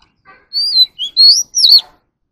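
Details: Oriental magpie-robin practising its competitive song: a faint soft note, then three bright whistles. One steady, one short and low, and a final loud note that rises and then falls sharply. Quiet background.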